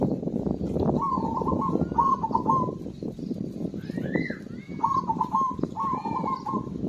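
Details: Zebra dove singing actively, played to prompt silent birds to sing: two rolling, stuttering coo phrases near the start and two more later, over steady low rumbling background noise and a brief higher rising whistle.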